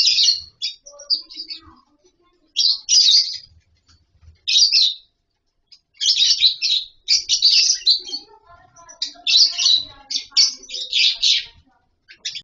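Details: Lovebirds in a colony setup with nest boxes, chattering: scattered bursts of shrill, scratchy twittering from several birds, with softer lower squeaks between bursts and stretches of quiet.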